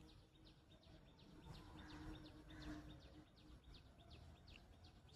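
A robin gives quick, high, thin chirps that drop in pitch, about two a second, over a steady low rumble of background noise.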